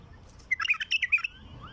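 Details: Wild bulbul singing, used to lure other wild bulbuls: a quick bubbly burst of about eight bright, chirping and whistled notes lasting under a second, with a faint rising whistle afterward over quiet background.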